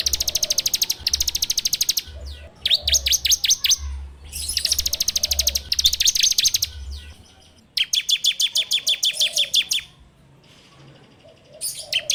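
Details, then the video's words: Bar-winged prinia (ciblek) lure song in the fast 'ngebren' style, recorded with an Android phone: long, loud high-pitched rattles and series of sharp downslurred notes, alternating in bursts over twelve seconds, with low hum beneath. "PANCINGAN SUARA CIBLEK TERBAIK FULL NGEBREM RAPETT!!!"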